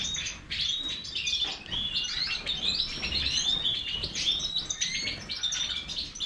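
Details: Major goldfinch twittering rapidly: bright high chirps, fine trills and brief buzzy phrases flow without a break, with quieter moments at the start and end.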